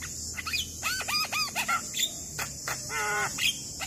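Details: Javan myna (jalak kebo) in energetic 'gacor' song, a master recording meant to teach young mynas that are slow to sing: harsh, harmonic, arching squawks in quick pairs, then a buzzy rasping note, over a steady high insect hiss.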